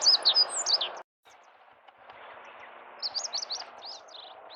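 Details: Meadow bunting singing its song, rendered locally as "ippitsu keijō", in central Hyogo, Kita-Harima, Japan, on 10 April 2021: a quick high run of sweet, tumbling, slurred notes, then a pause and a second phrase. Steady low background rumble throughout.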